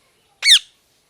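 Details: A single short, shrill squawk from a parrot, sweeping sharply downward in pitch, with a clean quiet background.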